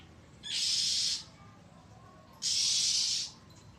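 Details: Threatening oriental magpie-robin, 1 April 2023: two long, harsh, hissy churrs, each near a second, separated by a short gap.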